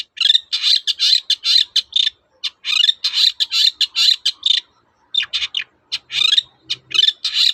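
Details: Lively long-tailed shrike, toet-toet song style, played to get silent shrikes singing: dense runs of harsh, buzzy chattering notes repeated quickly in long strings, broken by two short pauses.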